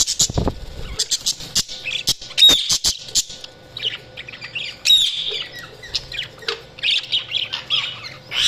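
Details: Budgerigars chirping: busy overlapping high chatter of short squawks, warbles and sweeping whistles, with sharp clicks and pulses in the first three seconds and a steady faint hum underneath.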